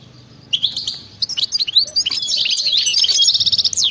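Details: European goldfinch in fast batbata wild song, played to set other goldfinches singing: after a brief pause, dense tinkling twitters tumble over each other, running into a continuous buzzy, chattering trill for the last two seconds.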